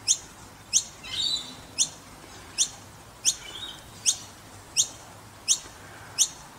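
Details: Noisy miner chicks in Brisbane give sharp, high, downslurred chips, about nine of them, roughly one every three-quarters of a second, with soft chatter between.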